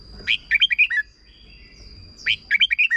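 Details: Red-whiskered bulbul's short doubled song, played for young birds to copy: a bright phrase of five or six liquid whistled notes stepping down in pitch, repeated twice, over a faint steady high tone.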